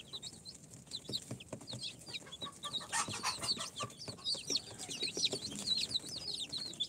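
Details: Newly hatched incubator chicks on day four, of Sultan, Golden Sebright, Cochin and booted breeds, start with sparse high peeps that swell into a dense shrill chorus, with a short rustling burst partway.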